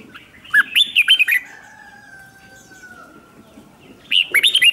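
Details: Red-whiskered bulbul singing as a decoy to call wild birds in for a contest. Quick burst of bright, warbled, up-and-down chirps, a pause with a long faint steady tone, then another lively chirping phrase.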